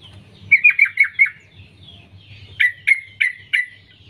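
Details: Female sooty-headed bulbul calling to attract males: a quick series of five slurred chirps, a pause, then four louder, well-spaced sharp downward notes.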